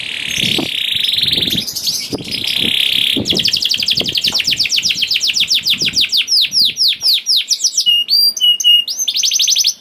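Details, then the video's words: Vigorous canary song with long rolling trills, used as a lure to prompt other canaries to sing: buzzy sustained trills open, then rapid repeated downward-sweeping notes, ending in high whistled slurs and sharp chips, loud and continuous throughout. "PANCINGAN KENARI GACOR DOR NGEREK PANJANG INI AMPUH BIKIN KENARI LAIN BUNYI"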